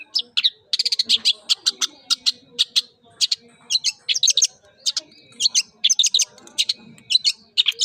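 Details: Male White-rumped Shama singing a song filled with 'pentet' phrases: a dense, rapid run of sharp, high chattering notes, closely spaced and repeated several times a second with little pause.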